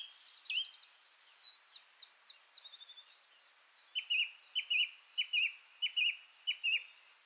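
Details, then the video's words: A song thrush (Turdus philomelos) sings bright, varied phrases: a quick trill, looping whistles, then one short whistled motif repeated six times, each phrase given over and over. "Birigarroa (Turdus philomelos), kantua"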